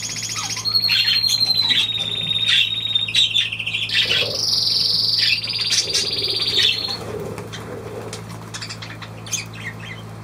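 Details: Budgerigar, date 23 June 2023: long chattering warble with drawn-out whistled tones and rapid ticking pulses, fading into scattered soft chirps toward the end over a low hum.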